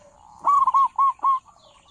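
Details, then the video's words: Local zebra dove with a big voice, a lure sound for dove trappers: one loud phrase of four rolling, quavering coos, each briefly separated, ending in a faint trill. "perkutut lokal suara besar cocok buat para pemikat burung perkutut"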